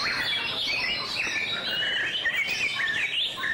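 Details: Song display of a White-rumped shama: a short, busy run of varied whistles. Twisting, rising and dropping notes follow each other rapidly over a steady soft hiss.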